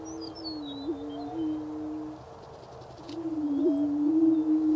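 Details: Low, droning hoots from greater prairie-chickens in Wabaunsee County, Kansas, spring 2010; two long sustained moans with slight pitch bumps, separated by a short quiet break, and thin high chirps of other birds in the background.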